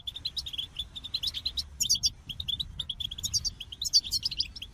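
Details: Goldfinch song of quick repeated chirps and twitters, punctuated by a few brighter, higher tinkling flourishes, delivered in a steady rapid stream.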